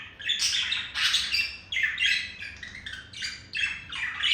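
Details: Courting male budgie directing a busy warble at a female, rapid chirps, clicks and buzzy notes in short overlapping phrases, lively and uneven.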